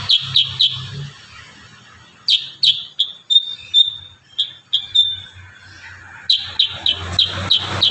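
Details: Kurincang singing in the dense rapid-fire 'tembakan rapat' style used for songbird training: bursts of sharp, downslurred high chips repeated quickly, with short pauses between bursts and a faint low hum beneath.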